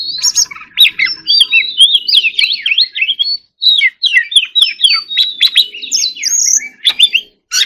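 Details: Oriental magpie-robin (Copsychus saularis) competition song: a rapid, unbroken stream of sweet whistles, sharp slurred notes and chattering trills, pitched high, with only brief pauses.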